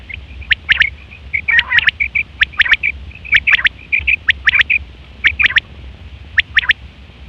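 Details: Female quail calling, recorded as a hunting lure: a busy string of high, clipped whistles and crisp ticking clusters, with one harsher, lower burst near the middle.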